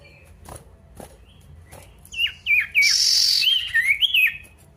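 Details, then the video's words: Male pied bush chat calling a rival: soft clicks at first, then a loud scratchy burst followed by looping whistled notes that rise and fall. "PANCINGAN SIRTU GACOR MANGGIL LAWAN"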